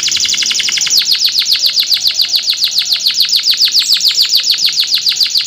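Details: Canary in full Indonesian rolling, sharp-shooting song style, meant to lure other canaries into singing, delivering one long, even, rapid rolled trill of about six bright buzzy notes per second, steady throughout with little background noise.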